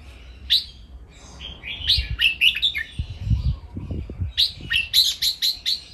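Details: Caged red-whiskered bulbul giving a training song in the playful 'ron len' counted-note style. Bursts of bright, chirpy notes are rapidly repeated, with a pause around one second, a dense run near the end, and low thumps and knocks underneath midway.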